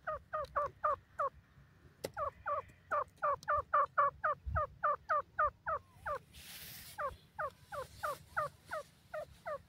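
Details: Teetar, or grey francolin, calling in a long, steady run of harsh notes that bend downward, roughly four per second, briefly broken by a burst of hiss before the series resumes.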